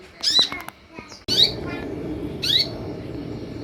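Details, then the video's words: Olive-backed sunbird lure sound: harsh buzzy chatters, first over a quiet background, then over steady low hiss, with a few short high notes. "SUARA PANCINGAN DAN MASTERAN UNTUK SEMUA JENIS KOLIBRI YANG AMPUH MEMBUAT KONIN NYAUT DAN IKUT GACOR"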